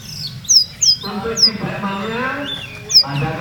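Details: Olive-backed sunbird (known locally as kolibri ninja) from Purworejo, a singing competition bird with a rhythmic, rolling song. Sharp, high downslurred chirps come in a quick pair, then two more spaced notes, over steady background music.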